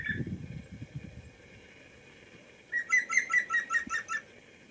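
A European green woodpecker gives a loud, ringing laugh of about eight quick, evenly spaced notes after a brief low rumble.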